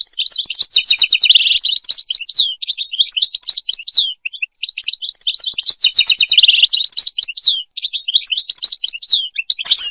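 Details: A European goldfinch sings, a recording intended for mating and teaching goldfinches to sing; quick, high, liquid twittering phrases interleaved with harsh buzzy trills, repeated in two similar long runs.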